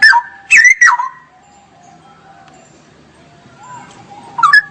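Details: Straw-headed bulbul singing 'gacor' in 'ngerople' style: a short loud burst of liquid rising-and-falling warbles, a quiet stretch with a soft low whistle, then another brief warble at the end.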